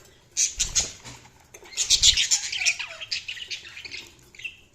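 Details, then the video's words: Budgerigars chirping: dense bursts of scratchy, high warbled chatter and squawks, with a pause early on and soft flapping or rustling thumps beneath. "Budgies Sounds| Budgies Chirping sound"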